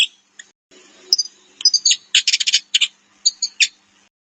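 A wagtail gives sharp, high chirps, first singly and then in a quick run of clipped notes over about four seconds, with a faint low hum early on.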